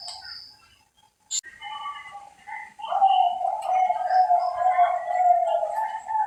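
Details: Bangkok-line perkutut, a captive zebra dove from Central Java, Indonesia, starts with faint scattered coos. After a clack it swells into a long, loud, trembling low coo, with faint chirps above.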